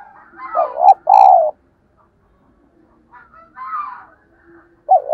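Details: Cooing of a spotted dove, played to provoke decoy doves into answering. A wavering coo runs into a long, steady mellow note. Softer, higher bird chirps follow, and another coo begins at the end.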